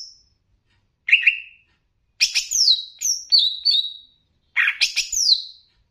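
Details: Greater green leafbird of the Banyuwangi type, in a training song meant to rouse other leafbirds, sings bright, high phrases of chattering notes and down-slurred whistles in short bursts a second or so apart; nothing else intrudes.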